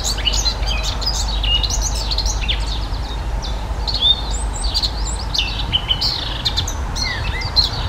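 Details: Eurasian blackcap (Sylvia atricapilla) singing: dense, quick warbled phrases of varied high notes with sharp upward and downward flicks, other birdsong overlapping, steady low rumble of background noise throughout.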